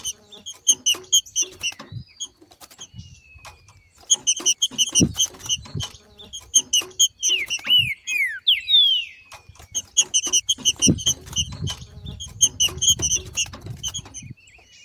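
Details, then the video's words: Female green-winged saltator singing male-style ('macheando') outdoors, a sound used to stir other birds to sing; long stretches of rapid clipped chip notes with a cluster of falling whistled slurs near the middle and some low rumbling later. "Melhor Trinca ferro Macheando na NATUREZA e canto de trinca ferro para esquentar ao maximo"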